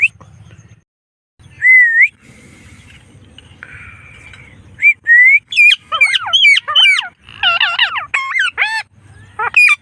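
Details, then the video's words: Blue Indian Ringneck pet parrot on an evening walk: a couple of soft rising whistles, then a fast chatter of bright, bouncing, voice-like squawks over the last four seconds. "Ringneck Parrot Talking Video"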